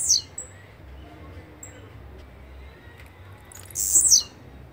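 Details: Blue-black grassquit song, a short grating high buzz with a falling tail, cut off at the start then given in full near the end, with faint distant thin whistled notes in between.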